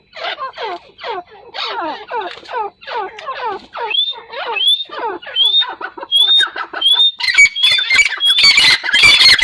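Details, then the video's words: Partridge starting with quick, downward-sliding buzzy notes, moving into rising whistled notes repeated about every half second, and finishing with loud harsh squawks. "Teetar awaz | Teetar sound | Teetar voice | Teetar ki awaaz"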